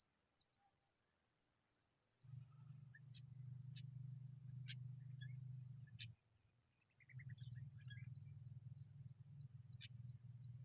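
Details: Hungry Familiar chat nestlings begging with thin, very high, short calls repeated in quick runs. A loud, steady low hum runs from about two to six seconds and again from seven seconds on.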